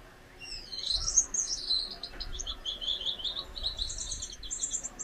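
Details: A pair of Gouldian finches; song is a thin, very high run of chirps and clicks ending in soft buzzy, hissing phrases, over faint low rumbling.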